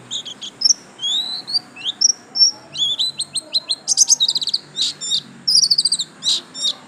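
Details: Yellow-striped Bustomi white-eye kept at home sings a lively string of high, sweet whistles and sharp chirps, some notes rising, others falling, tumbling into rapid twitters with almost no pause.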